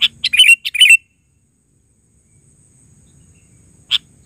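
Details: Sooty-headed bulbul (kutilang) calling actively: a rapid phrase of five or six bubbly chirps with slurred endings, a long quiet gap with faint low hum, then one lone chirp near the end.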